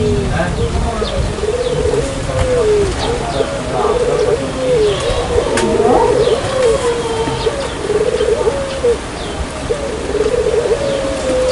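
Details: Barbary dove calling as a lure, a run of soft, rolling coo phrases repeated every second or two against steady background hiss and faint scattered chirps.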